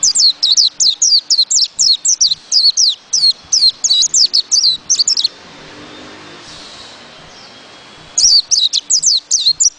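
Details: White-eye pouring out a long, fast string of high, slurred falling notes, pausing about three seconds before resuming the same rapid twitter.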